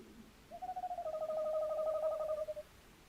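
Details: A tawny owl gives a single quavering, tremulous hoot lasting about two seconds at a steady mid pitch in a quiet background, recorded 11-01-2026.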